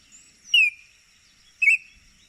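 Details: A Baltimore oriole calls twice, about a second apart: a sharp slurred whistle sliding downward, then a shorter note that rises before dropping, against a continuous thin high whine.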